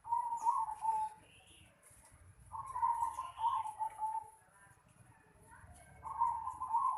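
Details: Zebra dove in a yard cooing in gentle rolling phrases, one long series in the middle and shorter ones at the start and end, over a faint steady high background hiss.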